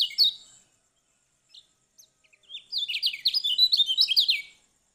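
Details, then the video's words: Lombok yellow oriole singing: a loud whistled note at the start, then after a pause a fast run of rising and falling sweeping phrases, high and clear, with no other sounds. "Kicau Kecial Kuning Lombok"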